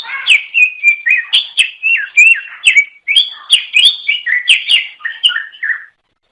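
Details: Greater green leafbird (cucak ijo), a songbird of Java, Sumatra and Kalimantan in Indonesia, singing to lure others of its kind: a rapid run of rich whistled and chirped notes around mid-high pitch, with sharp high clicks, ending after six seconds.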